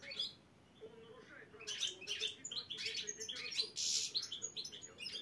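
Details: Black-headed goldfinch at a Saint Petersburg goldfinch qualifying event, chir-chir song: a brief chirp, a quiet gap, then an energetic stream of rapid twittering and buzzy trilled notes.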